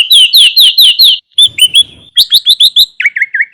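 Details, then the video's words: Master song of a Sooty-headed bulbul, lively and full of varied fill-in phrases, used as a trapping lure: a fast series of six downslurred whistles, a burst of chirps, then quick twittering notes and short lower warbles. "Masteran Kutilang Isian Mewah RAJA PIKAT ini AMPUH MENJADIKAN burung kutilang gacor dor"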